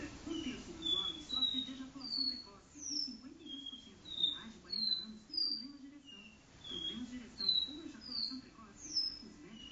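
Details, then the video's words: Caboclinho singing indoors in a living room, a do-re-mi style song: clear whistled notes, slurred and sliding, each about a third of a second, repeated roughly every half second in a varied phrase over a low steady hum. "caboclinho do-re-mi na sala"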